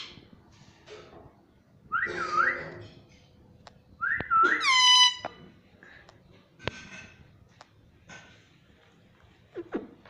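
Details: Talking pet ringneck parrot indoors; two short looping whistled-nasal phrases and a flat harmonic note, with clicks and quiet room noise.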